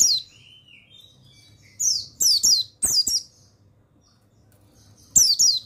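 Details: Mountain white-eye (pleci buxtoni) master song meant to make untrained males sing: a falling high twitter and a soft mid-pitched whistle, then three quick bursts of shrill descending chirps, a pause, and a last double phrase.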